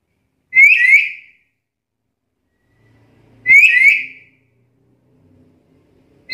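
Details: Black-capped lory, a vocally active talking bird with varied mimicked sounds, giving a bright whistled double note that rises twice, repeated about every three seconds, in a quiet indoor setting.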